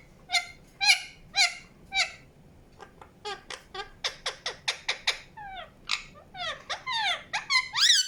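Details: Indian ringneck parakeet chirping: a few spaced harsh calls, then a rapid string of short sharp chirps at nearly two per second, ending in louder upward-swept screeches.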